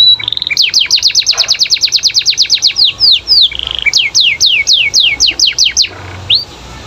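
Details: Canary in full, lively song meant to prompt other canaries to answer: fast runs of bright downward-sweeping whistled notes, about a dozen in quick series, then slower slurred notes and a final rising note.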